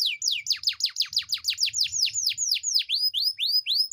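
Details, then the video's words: Lively canary singing to prompt lazy canaries to sing: a quick run of steep descending whistles, about three a second, slowing into rising slurred notes; soft low rustling underneath. "Pancingan kenari gacor ngerol panjang dan pancingan kenari malas bunyi pasti"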